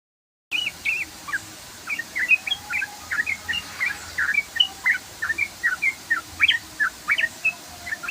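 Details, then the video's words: Sooty-headed bulbul giving a long, rapid 'ropel' song: a steady stream of short, bright chirping notes, about four each second, held for nearly eight seconds with no other clear sounds. "BURUNG TRUCUKAN ngeROPEL PANJANG"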